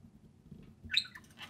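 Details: Pair of pet budgerigars out of the cage, playing and chattering indoors; after a quiet start, a burst of quick high chirps and scratchy warbling notes over a low background hum.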